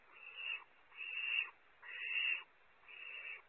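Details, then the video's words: Young barn owls at Starr Ranch, California, compete for a prey item that owlet #1 holds on to; four long, rasping hiss-screeches come in steady succession with short silent gaps between them. "Competition for prey, owlet #1 keeps it"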